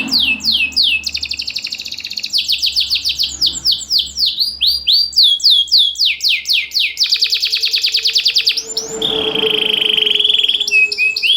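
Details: Caged champion canary, its song used to lure silent canaries and as a tutor, loud with tight pauses: long sequences of swept whistles and rapid buzzy trills, then a sustained flat whistle and rising notes.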